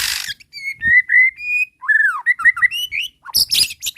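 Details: White-rumped shama song used to provoke other birds: clear sustained whistles, then quick looping slurred notes and harsh noisy bursts at the end.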